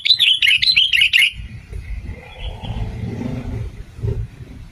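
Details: Sooty-headed bulbul, male and female sounds used as a lure to draw birds and prompt singing: a fast burst of bubbly, warbled notes lasting about a second, then quiet low rumbling background.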